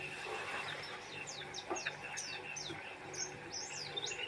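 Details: Lively song of an Oriental white-eye, fast thin whistled notes sweeping up and down in quick bursts, with a soft background murmur and a low constant hum.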